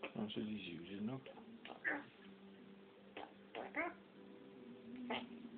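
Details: African grey parrot talking, a bird described as camera shy that falls silent on seeing the camera; several short voiced, speech-like phrases with changing harmonic tones, with quieter spoken words and a steady low hum between them.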